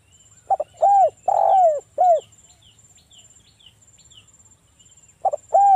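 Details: Spotted dove (local tekukur), a lure recording to prompt doves into calling; low mellow coos, a stuttered double note leading into longer falling notes, with a pause before the phrase starts again, and faint high ticking behind.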